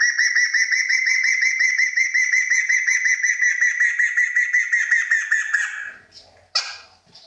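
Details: Long, rapid, rattling trill of the rare Kriko Gayo from Central Aceh, steady and even in pitch for over five seconds before fading out, followed by a single sharp click.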